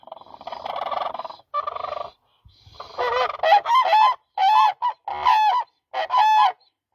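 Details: A buzzy, rough, murmuring sound opens, then a demoiselle crane breaks into a series of clear, nasal, trumpeting honks in an uneven rhythm.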